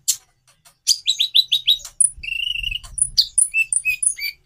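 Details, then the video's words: Konin (Van Hasselt's sunbird) song: quick high chips leading into a row of short whistled notes, one sustained buzzy trill, then bright high whistles alternating with lower ones; a low hum runs beneath. "Variasi kicau burung Konin"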